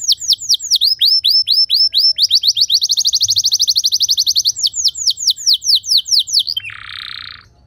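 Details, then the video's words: Canary song played to prompt other canaries to sing long, clear trills instead of chattering: a series of whistled down-slurred notes, a rapid rolling trill, more slurs, then a short buzzy harsh note at the end. "Putar 10 Detik Saja Kenari Lain Bisa Ngeplong Anti Ngeriwik Gacor Nembak Panjang"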